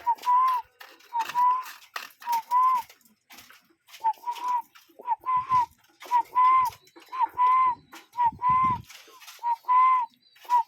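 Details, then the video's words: Real cuckoo recorded calling in nature, giving a long, steady series of paired whistled notes, a brief upslur then a longer even tone, repeated roughly every second with light clicks and rustling behind. "Relaxing Cuckoo Bird Sound in Nature"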